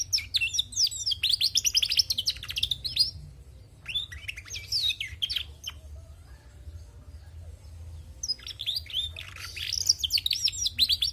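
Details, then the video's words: Lively singing from a female canary: a long spell of quick twittering trills and whistled slides, a brief softer pause with scattered notes, then a fresh burst of dense warbling. "Bunyi Burung Kenari Betina gacor"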